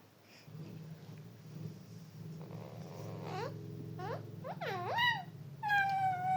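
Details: Parrot talking about Papa. A steady low droning hum fills the first half, then a rapid series of swooping, harmonic vocal sounds, ending in a longer, slightly falling tone.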